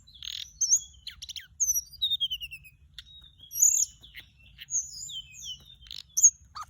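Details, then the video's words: Flycatcher, recorded for use as a lure, singing a varied high song of short buzzy bursts, quick descending whistled runs and bright upslurred notes, with a sharp click near the end. "เสียงต่อ นกจับแมลงอกส้มท้องขาว"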